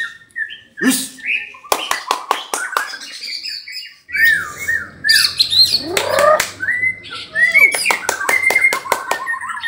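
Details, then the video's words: White-rumped shama (murai batu, 'kesra buntok'), a song of sharp clicks, buzzy rasping bursts and short whistled slurs delivered in fast, varied phrases, with quieter gaps between bursts. "Murai batu kesra buntok"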